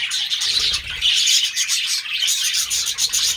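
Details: Busy warbling of budgerigars during mating, rapid high chirps and squeaks packed closely together in a steady stream.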